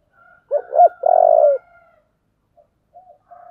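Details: Spotted dove, 'giọng thổ' song: a faint lead-in, then two short rising notes and a steady held coo, followed by scattered soft coos. Otherwise silent surroundings.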